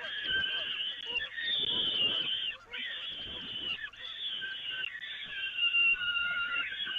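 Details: Harsh, continuous wailing from peregrine falcons on the Evoluon nest grating during feeding, 13 May 2018, with long sustained notes and brief gaps every one to two seconds.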